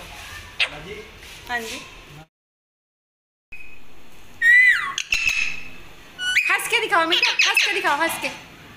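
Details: Pet parrot talking like a human, with squawks, harsh screeches and sliding whistled notes after a brief silence, mixed with a person's speech.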